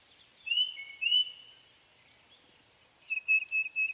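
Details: Tufted titmouse with two long clear whistles, then a brisk run of five repeated whistled notes after a short pause.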